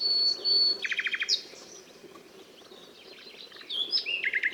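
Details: Nightingale song opening with a long high whistle, then a fast rattle of five or six repeated notes. After a quiet gap, a descending flourish leads into another run of repeated notes, with low steady background noise.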